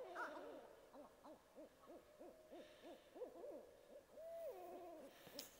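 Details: Several barred owls cooing in the boreal forest: rapid, bouncing series of arched, mid-low hoots, uneven and overlapping, ending in a drawn-out hoot that slides downward, with a faint hiss behind.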